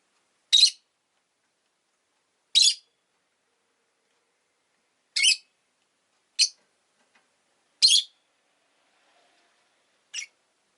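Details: Two rosy-faced lovebirds huddled together at an entrance give six short, harsh, rasping chirps at uneven intervals of one to three seconds, with near silence between them.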